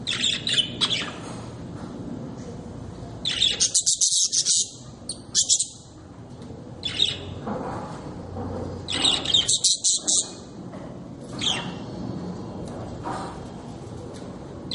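Budgerigars chattering in bright, scratchy bursts of chirps and squawks, several birds overlapping, with quieter twittering between the louder bouts.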